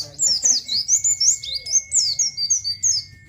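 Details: nGalas-style song of an Oriental white-eye, used to train caged birds; quick series of high, sweeping, twittering notes, each downslurred, roughly four a second, over a thin steady background tone.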